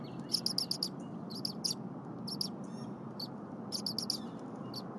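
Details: Bald eagle chick calling at the nest on 23 January 2022 around 8:00 AM while the mother defurs frozen prey. Softer bursts of quick, high, squeaky chirps recur in short groups, with a constant low background rumble.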